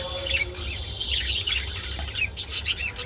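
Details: Budgerigars mating: continuous warbled chatter with quick chirps and squeaks, a low hum underneath.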